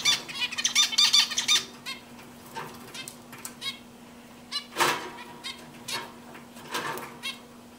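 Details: Singing zebra finch opening with a fast, buzzy, chattering phrase of high notes, then scattered short nasal calls and clicks at irregular intervals, with a steady low hum in the background.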